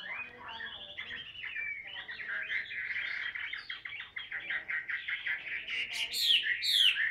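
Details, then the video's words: Caged fighting Chinese hwamei from Vietnam, tail-spreading type, singing ngũ trường song while held: a steady stream of choppy whistled notes, varied and tumbling, ending in sharp high upward sweeps. "HM 203 ngũ trường siêu mẫu đấu xòe cầm tay hót"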